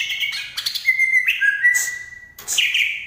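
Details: Green leafbird, Banyuwangi type, pouring out loud whistled phrases: long flat held tones broken by short rising and falling slurs, with brief pauses between bursts.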